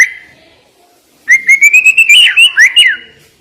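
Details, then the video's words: A short whistle, a pause, then the murai batu launches a rapid rising series of clear whistled notes ending in sharp inflected flourishes. "Isian Murai Batu Ini Nembak Tajam"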